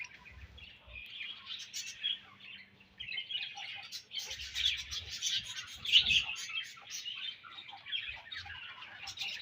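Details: A group of budgies in breeding season keeps up a high, scratchy warble, with a brief lull before four seconds and then a denser, louder stretch of chirping.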